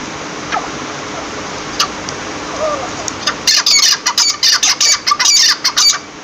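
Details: After three quiet seconds of background hiss, a partridge breaks into loud, rapid, grating squawks that repeat over and over until the end.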